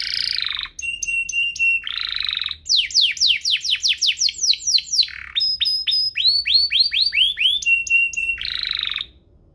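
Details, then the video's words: Two hard-singing canaries, offered as a lure and tutor song for young canaries: buzzy rolls alternate with a steady whistled tone, then rapid falling sweeps repeated about four per second, ending in another buzzy roll. "Kompilasi DUO GACOR, cocok untuk pancingan kenari biar gacor, masteran kenari paud"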